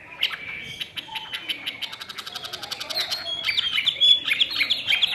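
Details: Captive Chinese hwamei delivering a fast string of sharp, repeated chipping notes that speed into a rattling series, then shift into bright, ringing whistles with slurred upward and downward turns.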